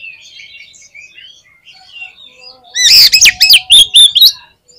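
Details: Oriental magpie-robin singing gacor style, used to test other magpie-robins' nerve: soft far-off twitters, then a loud, fast run of ringing whistles and scratchy chirps lasting about a second and a half.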